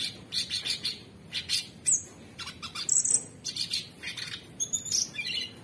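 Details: Orange-bellied Leafbird kept in captivity, presented as a constant-singing training song, delivering quick chattering trills and sharp high chips, broken by clear whistled slides and short rapid bursts.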